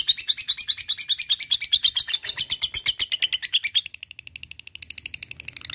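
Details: Lovebird giving long ngekek calls: a fast, even run of sharp, high chattering notes, about three per second, in a long unbroken string, shifting to a slightly softer, thinner series toward the end.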